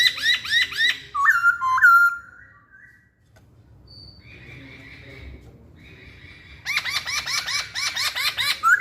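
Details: Masked laughingthrush singing: rapid series of repeated rising-falling whistled notes, then a pair of clear slurred whistles, a quiet gap with soft notes, and a renewed burst of fast, rich repeated phrases.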